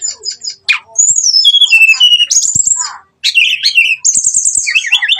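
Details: Brown-chested jungle flycatcher singing a lure song to make rivals aggressive: short bursts of sharp descending whistles and rattling trills, separated by brief silent gaps, ending in fast repeated high notes.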